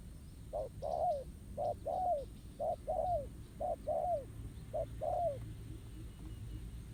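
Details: Wild spotted dove (bổi) drawn to a decoy at a ground trap; five paired coos, a clipped note then a longer arching one, fading out near the end, over soft low background noise.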